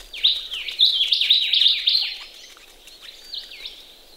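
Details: Ring-necked parrots washing in a pond in Australia early on a cool morning, giving a quick series of bright, sharply rising chirps, about five per second, fading to a few softer whistled notes.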